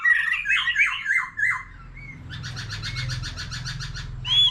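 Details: A mature wild-caught white-rumped shama, singing varied phrases with a laughingthrush, gives loud warbled whistles, then a steady fast run of repeated chips and a final high whistle over a low rumbling hum.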